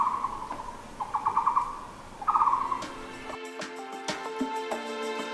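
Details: On a forested hiking trail in Yangmingshan National Park north of Taipei, Taiwan, on a foggy, clouded-over day, a Taiwan barbet gives low, hollow, rapidly pulsed phrases in short bursts; background music takes over after about three seconds.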